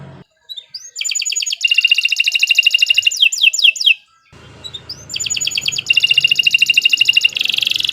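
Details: Kenari Nusantara canary giving two long bursts of rapid, loud buzzy trills. Each burst is introduced by short rising notes, and a faint low hum sits in the background.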